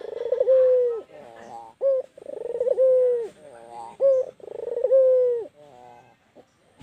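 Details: White Barbary dove cooing at length, with about three phrases of rattling pulses, then an extended level coo that drops at the end, separated by short sharp notes.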